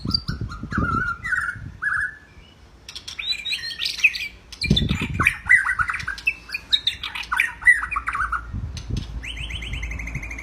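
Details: White-rumped shama singing actively, a training recording for other birds: varied clear whistled phrases, some slurred and rising, others in quick chattering runs, with pauses and low thumping noise beneath.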